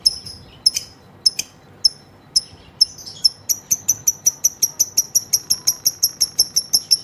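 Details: Female lovebird's long ngekek. It opens with scattered sharp, thin chips, then builds into a steady run of quick, high, clipped notes that speeds up and continues to the end.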